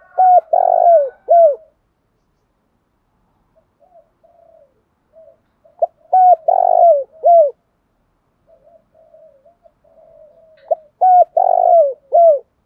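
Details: Spotted dove, a field bird, calling in the thúc dâu style: three loud cooing phrases about five seconds apart, each a quick stutter, a long, slightly buzzy coo and a short falling coo, with soft quiet notes between phrases.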